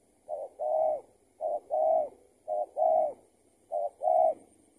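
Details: During a trapping session, an escaped tethered spotted dove gives four steady paired coos, a brief low note leading into a longer rounded one, spaced just over a second apart in a quiet setting.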